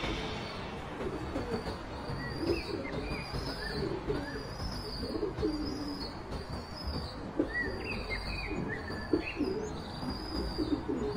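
White-quilled rock pigeon giving low, muffled cooing notes in short bursts, with thin high chirps from other birds over a steady, noisy background.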